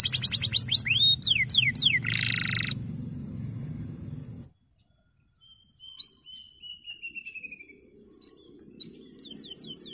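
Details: Male canary singing long, used to prompt young canaries to sing: quick downslurred whistles, then a dense buzzy trill for about three seconds, followed by quiet with faint high chips and a low hum.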